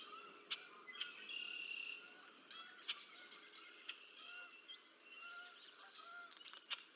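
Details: Bald eagle nest at Decorah North, 30 March 2024: an adult female feeds two young chicks. Soft, high, thin whistles and peeping calls, some drawn out, others clipped, come in irregular bursts beneath a constant low hiss, with occasional sharp clicks.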